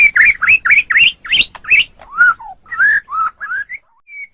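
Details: White-rumped shama on a master recording for training songbirds: rising, swooping whistled notes repeated quickly, then lower, slurred whistles that slow and fade out.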